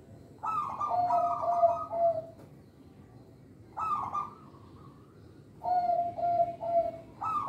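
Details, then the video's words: Local zebra dove singing, a voice used to lure and train young birds: three rolling cooing phrases, each opening with a higher burst and then settling into a steady lower trill, separated by pauses of about a second and a half. "Perkutut Lokal Suara Istimewa, Pemikat Bakalan"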